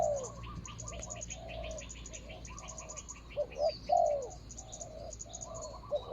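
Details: Spotted dove decoy calling from the ground to lure a rival, 24 January 2022: cooing phrases, loudest midway, with rapid repeated chirps from another bird and a steady high insect buzz.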